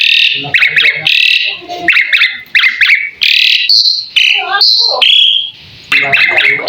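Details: Asian pied starling in full song for tutoring other birds: loud grating, chattering phrases in quick bursts, broken by clear rising and level whistles before the harsh chatter returns.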